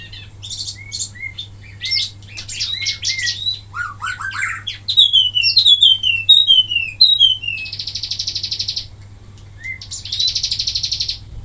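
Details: Wambi mini song used to teach other songbirds: varied sharp chips and rising whistles, a cascade of descending slurred notes, then two harsh buzzy rattles about a second long each.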